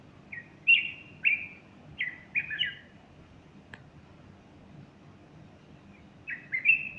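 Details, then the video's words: A bulbul sings beside a feather-fluffing female on Sunday morning, 30 August 2015; crisp whistled phrases in quick succession, one sharp click, a long quiet pause, then the phrase returns. "البلبل يغرد"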